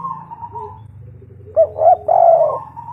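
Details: Spotted dove lure call from a local bird, a quiet soft coo followed by a burst of three rounded, hooting coo notes, over a faint low hum.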